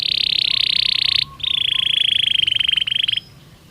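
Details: Belgian canary song used as a training stimulus to warm up a canary and make it sing: a dense, loud, rapid buzzy roll held steady, a brief pause, then another long fast rattling trill.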